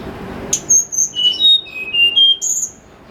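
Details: Snowy-browed flycatcher in the morning, a lively lure song delivered clear and fluting: high, thin whistles sliding down in steps to lower notes, then a final upward-flicked note, with little background noise.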